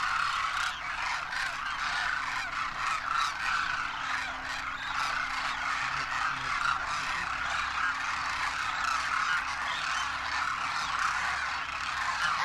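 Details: In Rajasthan, India, wintering wild Demoiselle Cranes fill the sky, trumpeting in flight; a long, dense chorus of rolling, honking calls from many birds, pulsing slightly with a faint low hum beneath.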